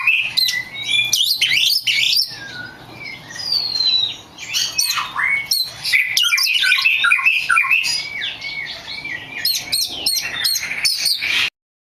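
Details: Lure song of an Oriental magpie-robin, intended to make other magpie-robins answer: dense, fast medley of high whistles, chattering notes and slurred rising phrases, about three notes per second, ending abruptly.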